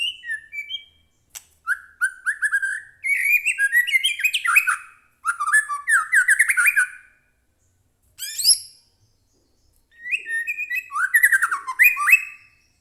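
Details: Caged white-rumped shama singing hard and excitedly, a recording to make other shamas sing. Loud phrases of quick, varied whistles and chattering trills come in several bursts separated by short silences, mixed with sharp high notes.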